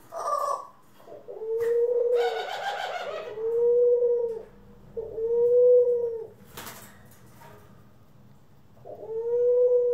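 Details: Pet doves kept indoors, among them Ringneck, Senegal and hybrid doves, recorded April 25, 2021: drawn-out, smooth, slightly arched coos repeating every couple of seconds, with one short rough, rattling burst and a brief clatter between them.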